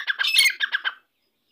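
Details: Grey francolin, called Irani dakni teetar: a short burst of harsh, squawky notes, five or six raspy pulses packed into about a second, then silence.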